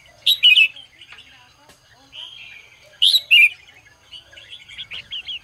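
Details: Red-whiskered bulbul singing in the morning: loud, bright whistled phrases bending up and down, given twice about three seconds apart, with softer warbling between them.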